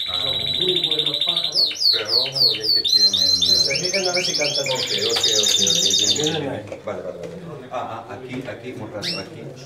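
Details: Timbrado Español canaries competing as a team of four, 25 November 2015: high rolling trills and falling whistled phrases for about six seconds, with human voices talking beneath them and continuing after the singing fades.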